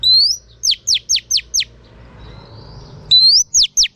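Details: Female oriental magpie-robin singing to excite males: a rising whistle, then a rapid series of five sharp downslurred whistled notes, a brief pause, and the same pattern starting again; clean, quiet background.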